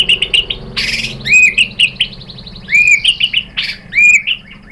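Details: White-rumped shama song used as a lure to draw a reply, with short rising whistled notes broken by harsh, noisy bursts, delivered in loose repeated phrases.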